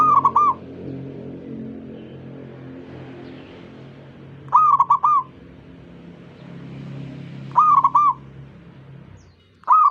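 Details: Zebra dove, said to be calling other zebra doves to join in singing: short bursts of three or four rapid, rounded cooing notes near one pitch, repeated about every three to four seconds over a low background hum.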